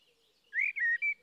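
A blackbird's brief song fragment: a clear rising whistle, then two sustained, level fluty notes in quick succession. The background is quiet.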